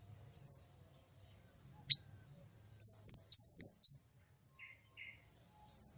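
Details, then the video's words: White-rumped shama, singing actively with a clear voice: a lone high rising whistle, a click, then a fast cluster of five sharp high twisting notes, and a final rising whistle after a pause. "kemade gacor nembak!!! suara jernih"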